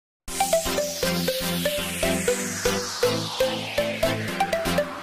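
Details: Electronic dance music with a pulsing beat and short repeated synth notes starts after a moment of silence.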